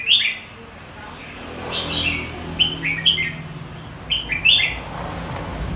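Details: Red-whiskered bulbul of the white-cheeked type, singing in contest style and used to provoke and train other bulbuls to sing. Short, bright, warbled phrases come in bursts about every second, with a low hum of background noise.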